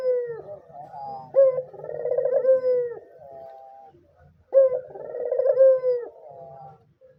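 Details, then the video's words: Cooing white dove, used as a lure or master recording for learning or reluctant doves; two phrases of a clipped opening note followed by a rich, wavering coo that slides downward, separated by a quiet pause. "suara burung puter putih gacor dor"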